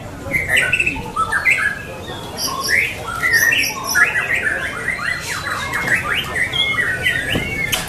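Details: Contest singing in Lampung from a white-rumped shama: short fluty whistles and upslurred notes come in fast bursts, then a denser stretch of chattering phrases. Faint crowd noise runs underneath.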